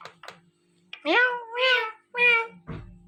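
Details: Rose-ringed parakeet kept as a pet, talking indoors: three drawn-out, wavering, meow-like syllables in quick succession, then a short harsh note, with faint background hum.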